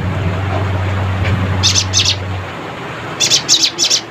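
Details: Chattering Cinereous tit calling out to rivals, singing vigorously: two quick rattled bursts of high, dry notes, then a tighter run of four after a pause, while a low droning hum fades out partway through.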